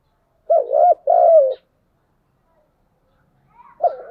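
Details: Spotted dove decoy bird calling in the morning: loud cooing phrases, two rounded hollow coos close together, then a pause and another coo beginning near the end, with clear quiet background.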